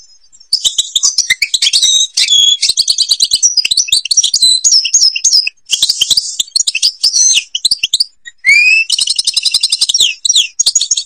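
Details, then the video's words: Algerian European goldfinch song from the Babas forest at Tiberli: a fast, continuous tumbling stream of high twitters, liquid warbles, and buzzy rattles, broken by short gaps. "canto jilguero argelia"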